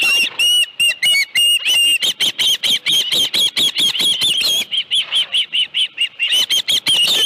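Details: Osprey calling at its nest, where a live fish was brought on 25 July 2018 around 5:23 PM: an almost continuous series of strident whistled chirps, several per second, steady and insistent.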